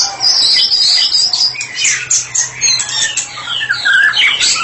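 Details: White-rumped shama, called a therapy specialist bird, singing in the full open style known as ngeplong: a continuous, rich stream of high whistled and chattering phrases, quick sweeping slurs and rapid notes, varying phrase to phrase, with no other clear sounds.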